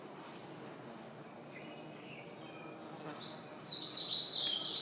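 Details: Blue-and-white flycatcher in the Russian Far East, Khingan reserve, Amur Oblast, delivers one high, sweet, warbled phrase with a buzzy end after faint, thin notes from other birds.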